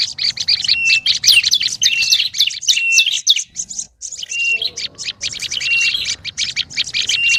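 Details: Agitated olive-backed tailorbird calling for luring birds: busy bursts of scratchy high chirps with brief flat whistled notes slipped in, broken by a short gap near the fourth second, then resuming just as densely.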